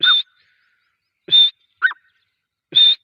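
Grey francolin giving loud, shrill, harsh notes about every second and a half, with a shorter, lower note between them. No other sounds are heard.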